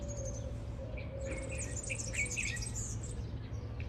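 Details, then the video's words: Red-whiskered bulbul (Pycnonotus jocosus), an invasive exotic, recorded in spring in parks and gardens at Campanar, València, gives short, bright chirping phrases over about two seconds against a steady low rumble of traffic and a faint hum. "Bulbul orfeu."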